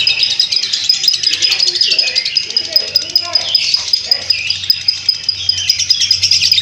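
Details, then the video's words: High, unbroken chattering trill from a lovebird in long ngekek, rapid pulses throughout, with faint lower sounds mixed in and a low hum beneath. "Video burung lovebird ngekek panjang"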